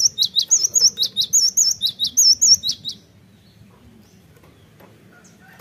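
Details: Cinereous tit lure song for prompting fast singing: a string of about twelve high, clear whistles paired with sharp descending chips over three seconds, followed by quiet.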